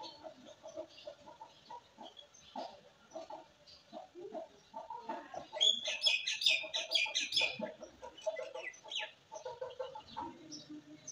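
A ring-necked parakeet chatters in choppy, voice-like mumbles, then breaks into a burst of shrill, high screeches midway before returning to low murmuring.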